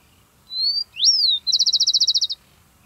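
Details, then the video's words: In the southern hemisphere in spring, a Rufous-collared Sparrow gives its well-known contact call, heard by day, at dawn and at dusk: a clear high whistle, a slurred rising-and-falling whistle, then a quick dry trill of about a dozen notes, in a quiet background. "Uno de los sonidos más conocidos entre las aves es la vocalización de contacto del chingolo."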